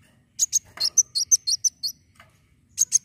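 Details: Energetic sunbird fighting song intended to trigger other birds, a fast run of high squeaky chirps with twisting notes, followed after a pause by two more quick chirps.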